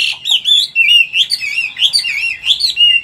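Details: Wild-style song of a caged, wild-caught mature Chinese hwamei in Vietnam: bright looping whistled notes in quick bursts, each rising and falling, delivered steadily and loudly.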